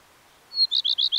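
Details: Common redstart song: a thin, high drawn-out whistle followed by four quick, slightly lower ringing notes repeated evenly in a short burst, against a quiet background.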